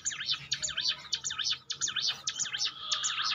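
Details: Bar-winged prinia training song: fairly faint, quick runs of high zigzag notes repeated almost twice a second, with background hiss and low noise.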